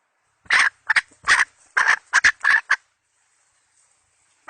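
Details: Hen chicken used as a lure decoy, 2020 season: a quick series of about eight harsh, rasping clucks delivered in under two and a half seconds, then silence and a single faint note at the end.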